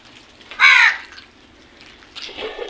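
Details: A group of crows: one loud harsh caw stands out, followed by fainter rough calls from other birds in the background.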